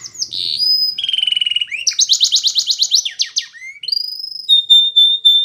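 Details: Belgian canary song played to train young canaries to sing: bright, very high phrases change quickly. A fast trill gives way to smooth, level whistles, then a rapid throbbing rattle, a rising slur, and spaced, clear piping notes.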